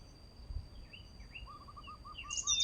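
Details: Male pied bushchat singing: a few thin, slurred whistles followed by a quick series of short, evenly spaced notes, then a bright higher chirp at the end, over a steady faint electronic hum.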